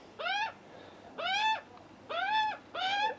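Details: Juvenile Australian magpies screaming with hunger on a first visit, begging for food, the cautious adult male close by; four strained, raspy wails with an arched pitch, spaced roughly a second apart, fairly regular.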